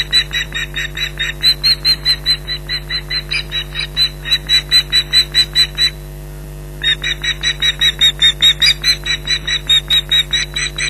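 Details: Osprey alarm calls at a nest in Loch Garten, July 2011, against a persistent intruder: a fast run of harsh, piercing yelps about two per second, with a brief break midway, over steady electrical hum from a live nest camera.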